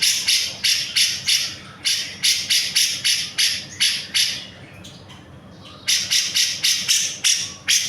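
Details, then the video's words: Grey-cheeked bulbul singing actively, used as a tutor recording for songbirds: bursts of harsh, buzzy broadband notes repeated about three per second, a brief pause near the fifth second, then the rapid rasping series resumes. "CUCAK JENGGOT GACOR"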